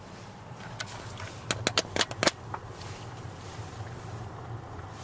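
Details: Outdoor background rumble with a quick cluster of sharp clicks and cracks in the middle; no animal sound is heard.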